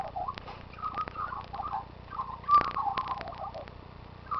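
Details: A rescued and released magpie that returns each day to sing, giving soft warbled phrases in a medium pitch range with uneven pauses between them, over a faint low background hum.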